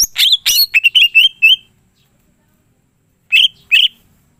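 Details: Caged greater green leafbird in full song, with harsh broadband notes and a quick run of short whistled phrases near the start, a long pause, then two more buzzy notes.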